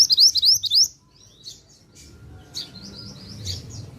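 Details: Active pied bushchat song: a fast cluster of bright, high chirping notes opening strongly, then fading into sparse, quieter chirps over a low background murmur.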